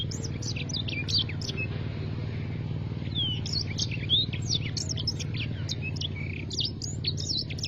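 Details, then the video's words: Black-throated canary singing 'gacor' style: a few scattered high notes, a short lull, then a fast busy sequence of sharp chirps, slurred whistles and trills over a steady low hum. "bird sanger or black throath or canary black troath gacor duar"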